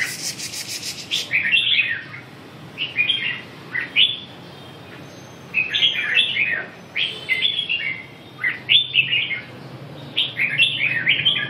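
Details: Red-whiskered bulbul singing: bright, warbled phrases of short rising and falling notes in bursts with brief pauses between them, loud and close, with a faint low hum underneath.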